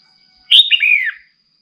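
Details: Female red-whiskered bulbul calling to stimulate a male into singing: a single brief warbled phrase of slurred notes, sliding downward at the end, lasting under a second, over a faint steady high-pitched whine.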